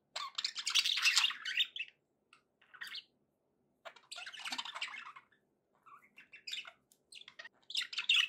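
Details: Budgerigars trade long bursts of raspy, warbling chatter with scattered single chirps during quieter gaps between them.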